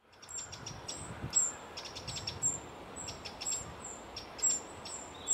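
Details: A Eurasian wren near Hoevelaken, Netherlands, sings a rapid run of very high, sharp notes and trills in quick bursts, over a soft background hiss.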